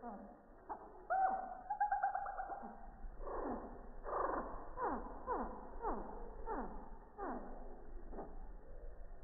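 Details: Hummingbird at a feeder on a quiet morning, recorded with an iPhone 6+ from three feet and slowed down in slow motion: brief whistled notes, then a steady series of descending sweeps repeating roughly every half second, with little else heard.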